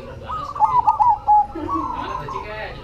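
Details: Zebra dove, perkutut cemani, singing actively: a single loud phrase of three or four quick stuttered coos and a longer closing coo, with softer cooing from other doves behind it.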